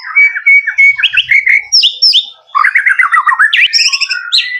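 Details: Song of a male white-rumped shama: rapid run of clear whistled notes, then slurred upsweeps, high rattling trills and squeaky buzzes, continuous and loud.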